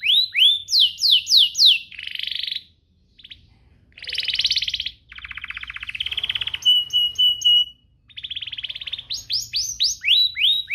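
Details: Canary singing to prompt other canaries to sing: rapid rising sweeps, then buzzy rolls and a flat whistled trill, with short pauses between phrases.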